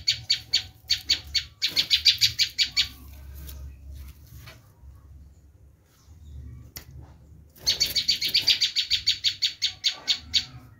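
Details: Bar-winged prinia screaming, a call used to draw in wild prinias: fast rasping chip series, a quiet gap of several seconds with a single click, then another long rapid run.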